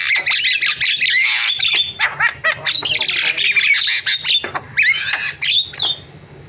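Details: Javan myna pouring out a varied song of buzzy chatter, clicks and harsh notes, broken by slurred whistles, steady and loud throughout.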